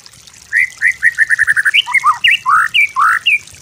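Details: White-rumped shama master song for training: a short run of clear repeated whistled notes followed by slurred rising and falling phrases.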